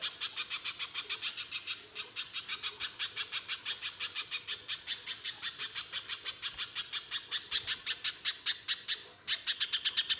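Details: Lure recording of a little spiderhunter in harsh 'nembak kasar' gacor style: a long, relentless series of grating chips at a brisk even pace, barely interrupted near the end before resuming.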